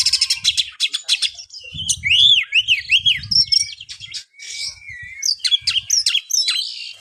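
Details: Oriental magpie-robin (kacer) delivering a varied song aimed at spurring reluctant kacer to sing: opening harsh ticking chatter, then looping slurred whistles repeated several times, mixed with buzzy notes and a long thin whistle, low knocking sounds in the background.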